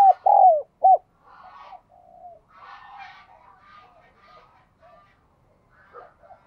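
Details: Spotted dove with the clear, far-carrying 'đồng chuông' bell-like voice. Two loud, hollow coos open the clip, followed by softer murmured cooing. Faint chirping from other birds can be heard in the background.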